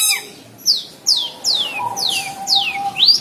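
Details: Caged cendet, the long-tailed shrike, teased and acting aggressive, producing a run of squeaky downward-sweeping notes that quicken toward the end, with a steady faint tone underneath.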